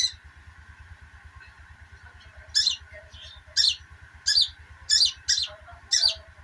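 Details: Sogok ontong twittering rapidly, used as therapy to coax silent birds into singing: sharp high chirped bursts roughly once a second, over a steady low mechanical hum and a faint constant tone.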